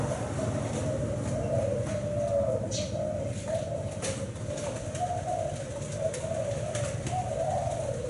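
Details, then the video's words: Thai black-spotted spotted dove, noted for a seven-note song, cooing in a soft, continuous low tone with gentle rises and falls, against a steady low rumble and faint clicks. "Cu gáy thái bông đen 7 sị"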